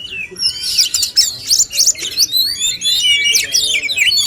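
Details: Male oriental magpie-robins in a singing contest meant to spur fuller song and show off their repertoire: dense, overlapping bursts of high whistles, slurred sweeps and chirps, nearly continuous and layered as if several birds sing at once.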